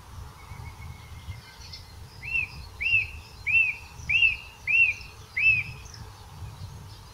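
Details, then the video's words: In Portugal, a song thrush repeats one arched, whistled note six times at an even pace of about one every 0.6 seconds, after a thin, faint trill. There is light background noise. "Song thrush Call Turdus philomelos Tordo"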